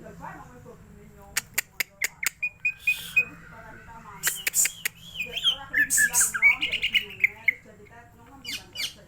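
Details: Greater green leafbird, a cage bird being roused into song: a few sharp clicks, then a rich stream of slurred whistles, chirps and buzzy notes, with a steady low hum in the background.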